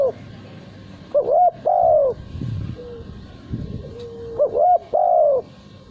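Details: Male spotted dove, a cage bird valued for its loud, melodious cooing in contests. It repeats its phrase twice: a short two-part rising note and then a long, full, even coo, with soft low rumbling between phrases.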